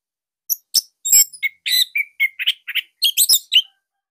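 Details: Orange-headed thrush of the Bali form, caged songbird, singing a master song used to coax young spotted or silent birds into song; tight, loud, unusual voice. A rapid string of about thirteen sharp, high chirps and short trills in three seconds, clean background.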